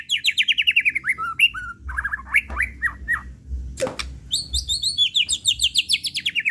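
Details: White-rumped shama singing as a provoking lure. Fast rattling trills of repeated high notes open and close the passage, with a middle section of varied slurred, whistled notes and one sharp click. A faint low hum runs beneath.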